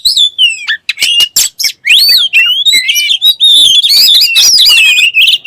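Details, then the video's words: Energetic oriental magpie-robin song that is said to start other magpie-robins singing: sharp clicks opening into long warbling whistles that wander in pitch without pause. "THE KACER BIRD IMMEDIATELY WORKS AFTER HEARING THIS VOICE"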